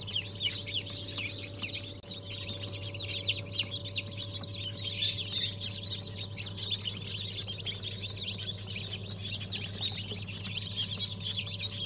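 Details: Freshly hatched ornamental Brahma chicks from a January 2023 hatch keep up a continuous, thick chorus of high piercing cheeps, many birds calling at once, above a constant low hum.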